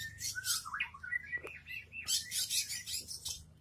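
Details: Caged long-tailed shrike in front of a house, singing vigorously: wavering slurred whistles mixed with bursts of rough, high-pitched chatter and a few sharp clicks.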